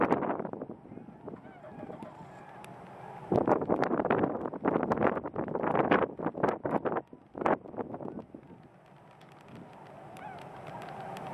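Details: Large flock of tundra swans, around ten thousand birds, at Grand Bend, Ontario; a dense burst of overlapping honking calls swells between about three and seven seconds, then fades into steady wind rumble.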